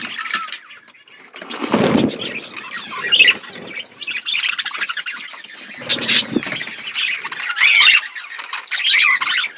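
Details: Budgies feeding as a flock. Busy high chatter is broken by two muffled low bursts, possibly wing flaps or movement, with scattered chirps between them.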